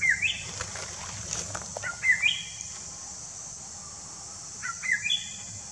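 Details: Greater racket-tailed drongo in Kanha National Park, Madhya Pradesh, giving three short bursts of metallic, twanging notes about two seconds apart, over a steady high hiss of insects.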